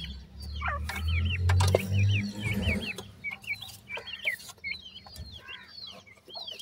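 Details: Grey francolin chicks giving thin, high chirps, many short rising and falling notes repeated rapidly from several birds, over a low rumbling hum and some clicks and knocks.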